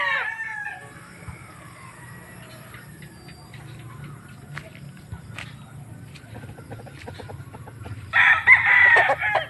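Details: Rooster crowing: a harmonic, strained crow fades out in the opening second, then a loud, rough crow bursts in near the end, with a quiet stretch of faint clucks and knocks between.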